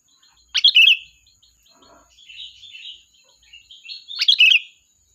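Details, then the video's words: Sooty-headed bulbul singing to call its flock, used as a lure: two loud bright phrases at start and end, each a sharp falling note into a bubbly warble, with softer warbled notes between and a faint steady high whine throughout. "Suara Burung Kutilang Gacor, Pikat handal memanggil kawanan"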